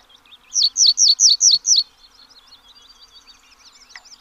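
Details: Song of Pallas's bunting, six sharp high slurred notes in a fast even series, followed by faint twittering and a soft click near the end.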